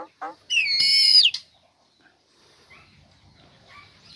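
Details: Caged female Nias hill myna, uncovered and vocal, used to lure lazy birds into singing; a short descending note, then one loud sustained harmonic whistle of nearly a second, followed by faint soft notes.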